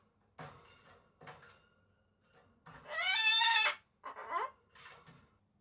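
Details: Pet Solomons cockatoo calling indoors for its owner out of affection: harsh screeches, one long loud rasping scream in the middle followed by a shorter downward squawk, amid quieter scratchy calls.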